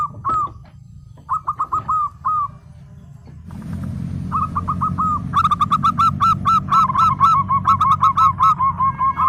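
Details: Local zebra dove in full, lively voice: short clipped coos in quick bursts of four or five, then a pause, then a longer rapid run of ringing, evenly spaced notes. A steady low hum sits underneath throughout.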